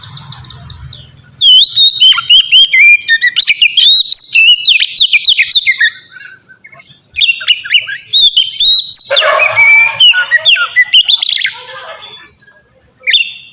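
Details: Long melodious white-rumped shama song meant as a lure to get other shamas singing, with dense bursts of whistled, sliding notes and quick trills, a brief lull, then another loud flowing phrase with harsher rasping notes.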